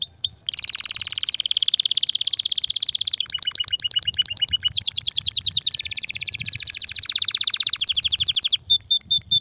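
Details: Strong canary singing to stimulate the male and excite the female to mate, a nearly unbroken series of rapid buzzy trills changing pitch and speed in blocks, ending with short whistled upslurs.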